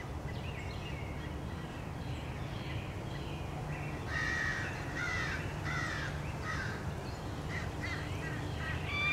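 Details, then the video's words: American crows, many of them, mobbing an adult male bald eagle returning to its nest in Norfolk on 30 March 2016; harsh caws clustered mid-clip, several overlapping, over a steady low hum. "Crows attack"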